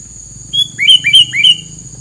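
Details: A bird sings clear whistled notes in a short phrase: one level high whistle, then three upslurred notes, over a steady thin electronic tone and faint low hum.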